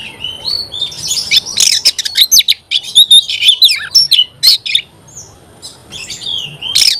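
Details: Oriental magpie-robin singing energetically, a dense run of high whistled phrases, trills and raspy chips lasting several seconds, then a softer pause before resuming.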